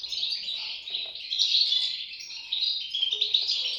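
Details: Shrill, tightly packed chirping from European goldfinch chicks, a continuous high twitter that pulses in intensity throughout.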